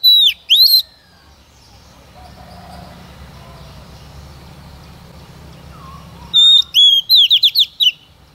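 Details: Female Oriental magpie-robin, used as a lure to make males sing, gives a short whistled burst, then a low rumbling background fills several seconds before a rapid whistled, slurred phrase returns.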